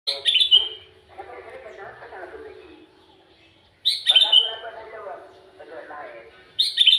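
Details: Sooty-headed bulbul, called kutilang hutan or kutilang alas, singing bright, bubbly whistled phrases that are repeated roughly every three seconds, each followed by a lower, softer, murmuring trail.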